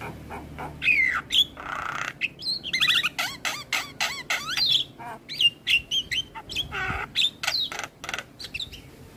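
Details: Varied morning song of a Javan myna, meant as a model for young birds: whistled slurs, squeaky chirps, and rasping bursts follow one another rapidly across nine seconds.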